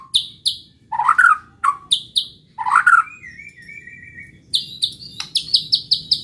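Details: White-rumped shama song meant to provoke rival birds into singing: short sharp high notes alternating with lower rich whistles, a thin sustained whistle, then a fast series of high clipped notes, with faint background hum.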